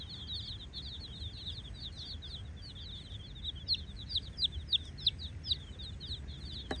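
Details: Brightly coloured chicks playfully exploring a hollow, keeping up a busy chorus of high thin peeps, louder individual chirps standing out toward the end, over low steady background noise.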